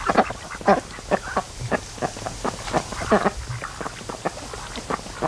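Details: A flock of raised ducks, 92 days old, lazing and sleeping in the afternoon sun at the mouth of a creek by a lake. They give short, low, harsh quacks in scattered bursts from several birds.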